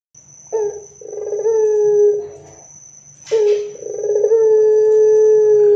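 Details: Loud, vigorous Barbary dove used to coax other doves into singing gives two rolling coos. Each starts with a short note and trembles into a long, steady low tone. A brief rustling burst comes between them, and a thin high whine persists.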